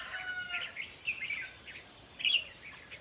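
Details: Red-whiskered bulbul song used to stir up caged birds at a trapping site: quick chattering warbles and clipped notes, with a louder bright phrase near the end over steady background hiss.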